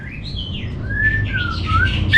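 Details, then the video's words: Orange-headed thrush master song: long smooth whistled slurs, first rising then gently falling, followed by a soft warble and a sharp high note at the end, over low steady hum. "Menstabilkan Burung ANIS MERAH Dirumah Baik EMOSI & Birahi dengan Mendengarkan Kicauan Masteran ini"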